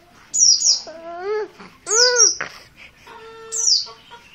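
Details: High, falling double chips from an untrained dakun Merapi oriental white-eye calling insistently, returning about every one and a half seconds and alternating with lower, arched, harmonic nasal sounds.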